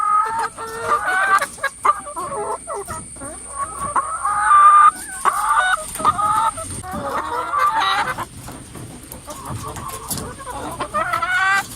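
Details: Many hens crowded in a coop making various noises: overlapping clucks, squawks and drawn-out harmonic calls around the middle range, some rising and wavering, sounding continuously over nearly twelve seconds with a steady faint high hum behind.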